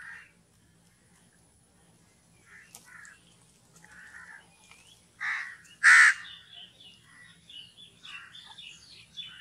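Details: Crow uttering one loud, hoarse caw amid faint chatter and softer calls from other birds.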